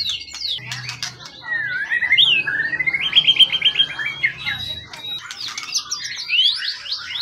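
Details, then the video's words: Forest-caught contest bird with a tail of 20 cm or more, long kept and calm, singing fast: sharp chips, then sweeping slurred whistles and a quick run of bright repeated notes, with a faint low background hum. "Burung event ori hutan ekor 20cm up lg on banget prestasi burung hutan gk giras ya rawatan lama"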